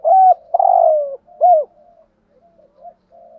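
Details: Spotted dove kept as a decoy, calling in a quiet setting with loud, low coos: a short hoot, a longer drawn-out falling coo, then another rounded hoot, ending in soft, scattered murmuring notes.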